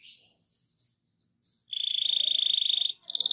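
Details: Canary song played to spur other canaries to sing, rolling style: soft scattered notes, then a dense rapid trill lasting over a second, ending with the start of another quick trill.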